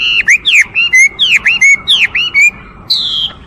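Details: Chinese hwamei gives a rhythmic run of swooping whistled notes, each dipping and rising in a quick V shape, repeated about three times before one long, steady high whistle.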